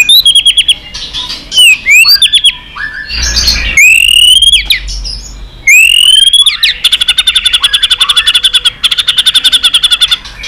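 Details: Aroused white-rumped shama in competitive song: pure rising whistles that slide upward, interspersed with chips, then a long series of fast, evenly repeated sharp tack notes.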